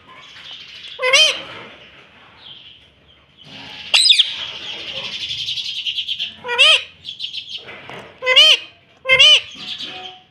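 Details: Rose-ringed parakeet, a green talking pet, said to say "mummy". Short harmonic squawked utterances come in an irregular series, five loud ones in ten seconds, with a hissy, breathy murmur running between them.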